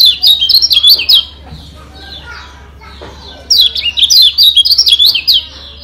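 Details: Fast, high, zigzagging chirps from a Lombok yellow white-eye (kecial kuning) masteran meant to make other birds emotional and sing harder. An opening burst gives way to quieter twitters before a longer second phrase.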